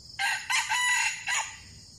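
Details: A wild red junglefowl caught with a decoy, one of two taken in a fight, crows a harsh, clipped crow broken into several loud bursts, shorter and more abrupt than a farmyard rooster's, over a faint background hiss.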